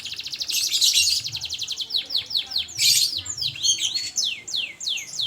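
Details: Canary singing energetically (gacor): fast rattling trills of repeated high notes, then a string of clear, descending whistled sweeps, loud and continuous over a faint low hum.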